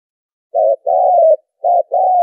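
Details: Spotted dove lure recording for bird trapping: two pairs of mellow coos, a short note followed by a longer even-pitched one, in a quiet setting.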